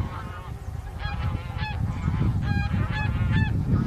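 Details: Bean goose calls on March 9, 2021, among wintering birds including a leucistic goose, recorded with a Sony A7M3: short, nasal, harmonic honks repeated in quick groups, several geese, with constant low-pitched background rumble.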